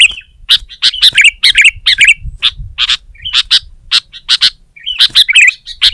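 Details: Kutilang, the sooty-headed bulbul, singing aggressively at a rival: a steady stream of bright clipped notes and liquid, tumbling phrases sliding downward, closely spaced and lively, over a faint low hum.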